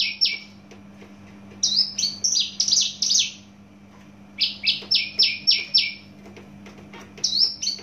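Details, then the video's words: Loud, fast song of a Javan bush lark from Java: repeated runs of quick buzzy notes alternating with rising-and-falling whistled phrases, with soft clicks between bursts and a steady low hum. "branjangan javanica asli jawa volume dan spedd edan mantap"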